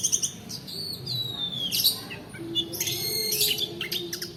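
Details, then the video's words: Long-tailed shrike song used as a lure to prompt reluctant birds to sing and to tutor other birds, in the long 'roll' style: high chirps and a long descending whistle, then dense bursts of sharp notes over a faint steady hum. "PANCINGAN PENTET MALAS BUNYI ROLL DURASI COCOK UNTUK MASTERAN"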